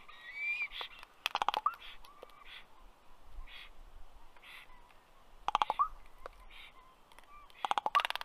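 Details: Common raven making clicking noises at a black stork nest tree, Karula National Park, Estonia, 27 May 2023, 4:33 pm; three bursts of dry, fast clicks, each followed by a short upward note, plus soft hollow calls between.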